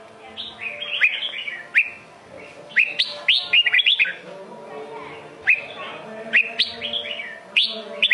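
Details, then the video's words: Red-whiskered bulbul giving Sông Kôn style song, bright whistled phrases with quick rising slurs and rapid chattering runs, spaced by pauses of about a second, with faint low hum. "Chào mào sông kôn hót cực hay cực đẹp"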